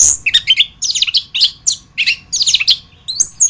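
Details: Chestnut-capped thrush (anis kembang, Geokichla interpres), a songbird kept for contests and as a master bird for tutoring others, sings a rich, varied run of sharp whistled and chattering phrases, rapid notes mostly high-pitched, with brief pauses between bursts.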